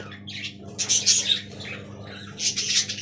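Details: A colony of caged budgies squawks and chatters in rough, buzzy bursts. A quieter stretch in the middle is followed by another loud outburst. A faint low hum runs throughout.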